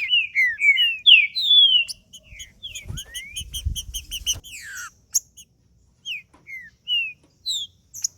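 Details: Green-winged saltator in 'macheando' song, used to warm up another male: rich slurred whistles at the start, an upward-sweeping note, then a fast run of clipped repeated notes over faint low thumps, ending in spaced short descending whistles.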